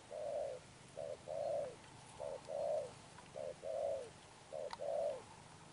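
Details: Spotted dove giving repeated low coos, each a brief note then a longer smooth one, five pairs at roughly one-second spacing, with faint background hiss and a click.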